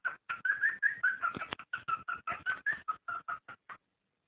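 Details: Cockatiel mating call played to encourage breeding: a continuous string of quick whistled notes, about two and a half per second, with slight pitch wobble, stopping near the end.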